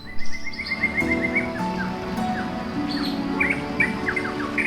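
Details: A two-month-old pet female rose-ringed (Indian) parakeet (Psittacula krameri), hand-raised, gives a quick run of high, even chirps, then scattered sharper chirps, over steady background music.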